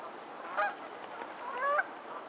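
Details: Two loud nasal honks from geese on a lake in Pennsylvania, the second with a rising upslurred tone, over quiet background noise.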